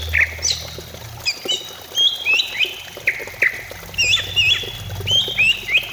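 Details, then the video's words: Greater green leafbird song for prompting leafbirds to sing: rapid, varied whistles with quick upward and downward flicks and short chattering notes, delivered continuously above a low droning background. "Pancingan cucak ijo supaya cepat bunyi"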